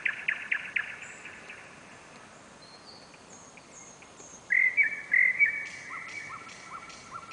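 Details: Nightingale song on a July night in Novosibirsk, Russia, recorded by camera: a quick burst of sharp notes, a near-silent gap with faint high ticks, then loud full whistled notes and softer repeated chips.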